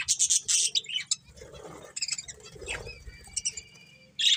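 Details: Breeding pair of budgerigars chirping: bursts of bright, scratchy high chirps and short whistled notes, with brief gaps between. A low hum runs underneath.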